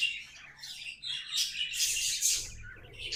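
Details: Budgies singing as pets: a short run of harsh, buzzy warbling that swells in the middle, with a low rumble near the end.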